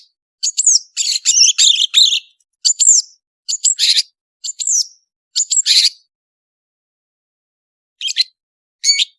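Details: Active long-tailed shrike, known as cendet, on a recording for training birds: groups of sharp, scratchy high chirps and short slurred whistles. The notes come in uneven clusters, followed by a pause and two final squeaky notes.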